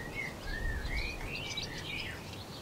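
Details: European robin feeding on a branch, recorded 26 February 2020: a continuous thin warbling phrase of high, wavering whistled notes sliding up and down, over a steady low rumble of background noise.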